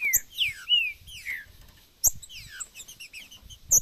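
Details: Male Green-winged saltator giving clear whistled notes that slur downward, several in a row, then a sharp click and a second burst of shorter descending whistles.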